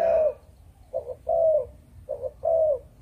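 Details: Spotted dove of Malaysian breeding stock giving a chụp chụp ô style call: low mellow coos in groups, a short double note followed by a longer, slightly falling drawn-out coo, repeated twice over a soft low hum.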